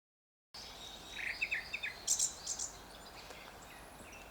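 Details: In Korea, a Grey-backed Thrush sings one short phrase: a quick run of clear mid-pitched whistles, then a thin, high twittering flourish, over a steady soft hiss.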